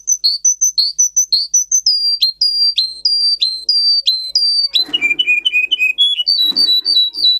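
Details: Song of a Russian singer canary, a breed developed for singing and used to teach other canaries: clipped high whistles, then slower drooping whistled notes, then a run of lower quick repeated notes and a rising trill.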